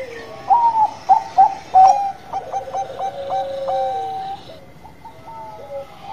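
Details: Bangkok zebra dove in lively song: a string of loud bright coos with a short trill, then a run of evenly repeated stuttering notes and falling drawn-out tones, fading to softer coos near the end.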